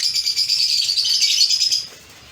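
A lovebird chatters in a rapid, high, scratchy stream of chirps for nearly two seconds, then falls quiet.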